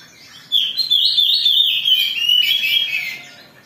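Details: Oriental magpie-robin in agitated song, used as a lure to provoke singing: a loud, continuous run of rich warbled and whistled notes, rapidly modulated and slowly descending over about three seconds, after a short quiet lead-in.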